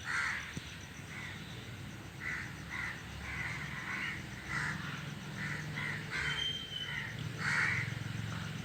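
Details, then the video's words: A noisy flock of crows in a tree: strings of short harsh caws, with a few louder calls standing out, plus a low rumble of background noise and a faint high whistle. "A flock of crows sitting on the tree is making noise"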